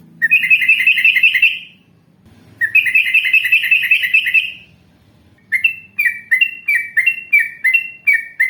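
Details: Yellow-vented bulbul, part of an Indonesian long-trill training recording, producing two loud buzzy rattling trills followed by a quick series of sharp, falling chirps about three per second.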